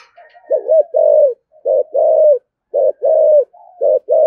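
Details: Spotted dove in the 'giọng thổ' thúc gù style, meant to provoke other doves into calling. Deep paired coos, a clipped note then a drawn-out one, each pair separated by short silences, with softer murmured notes between.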